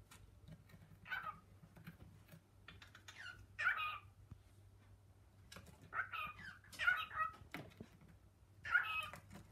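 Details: Pet cockatiel indoors among kitchen cupboards, a male calling his female companion to come; a series of short, scratchy, chattering calls spaced a second or two apart, with soft rustling and taps in a small room.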